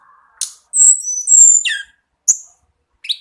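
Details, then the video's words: Sunda laughingthrush in a lively full song: short bright whistled notes and high sweeping slurs, some clear tones held near half a second, separated by brief pauses. "Tledekan Gunung Teler Full NAGEN !"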